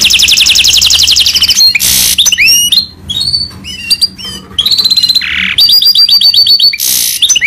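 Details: A Himalayan goldfinch mule sings a loud, fast, high-pitched song of rolling trills, bright whistled slurs and harsh buzzy notes, running on without pause.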